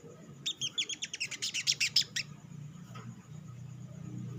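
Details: Olive-backed sunbird lure song, meant to get other sunbirds singing quickly: a rapid run of about fifteen high, sharp notes that speeds into a dense chatter, then stops abruptly.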